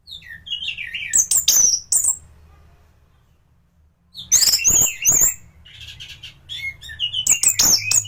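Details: Training recording of a thrush in strong song for tutoring other thrushes: bursts of high twittering and sliding whistles, a quiet pause of about two seconds, then more rapid, sharp, varied phrases.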